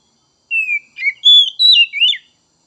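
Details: White-rumped shama song: a falling whistle followed by quick twisting notes and a loud sustained whistle, ending in a short downslurred flourish.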